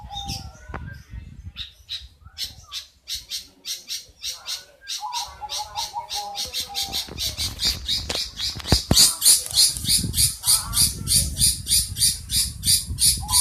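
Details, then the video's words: Long-tailed shrike giving a strange sound: a long run of harsh, raspy, broadband notes, about three per second, growing louder toward the end, with a faint steady whistled tone and low background rumble. "Cendet suara aneh"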